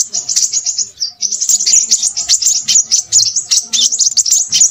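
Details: Crimson sunbird, a nectar-eating bird of shrubs, plantations and forest, singing busily: rapid high thin chirps and twittering trills tumbling over one another almost without pause, bright and piercing throughout.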